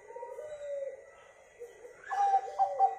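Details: Local zebra dove song used as a lure to prompt other doves to sing: a soft lower cooing phrase, then a louder run of clipped, stuttering coos on a steady pitch, with a faint constant electrical hum.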